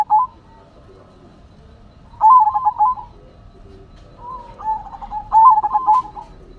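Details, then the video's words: Zebra dove singing actively: two bursts of rapid, bubbling trilled coos, each about a second long, the later phrase led in by a short soft coo, against a quiet background. "Perkutut Silver Gacor Suara Asyik Unik dan Antik"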